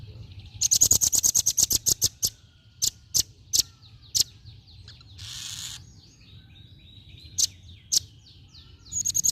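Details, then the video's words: Female velvet-fronted nuthatch gives rapid, very high, sharp chipping notes in a fast rattling burst, then scattered single chips; a brief hiss of noise in between. "SUARA BURUNG RAMBATAN PARUH MERAH BETINA"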